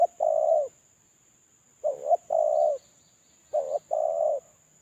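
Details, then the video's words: Spotted dove used as a lure bird, molting and still unpaired, cooing in three phrases. Each is a quick bending note followed by a longer, even, husky coo, spaced about two seconds apart over near silence. "Suara terkukur suara pancingan terkukur"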